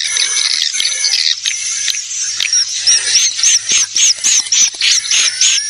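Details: Lure call for drawing swiftlets: a busy high chatter that settles into a regular run of short, bright, arched chirps, about three to four per second, with a constant high tone and low hum beneath.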